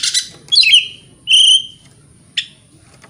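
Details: Short harsh notes and a clear slurred whistle from an Oriental magpie-robin singing in the morning to provoke rival birds, with brief gaps between calls.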